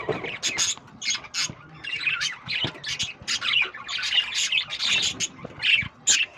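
Lovebirds keep up a dense, shrill chatter of sharp chirps and squawks, several overlapping each second, high-pitched and continuous.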